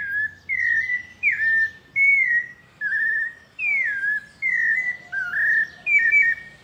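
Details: Melodious paulista song of a pale-breasted thrush, loud and close: fluted whistled phrases, mostly swooping down or wavering, delivered in a brisk repeated sequence with short gaps, with a soft low hum in the background.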